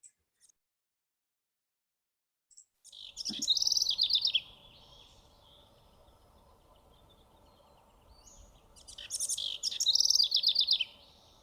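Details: House wren near the entrance to Toro Canyon Park, Carpinteria, California, singing two bursts of rapid, bubbling, high-pitched trills separated by a few seconds.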